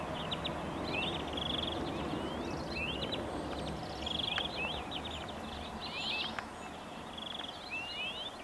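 European greenfinches sing fast, rattling trills mixed with quick twittering and rising whistled notes, phrases repeating every couple of seconds over a steady low rumble.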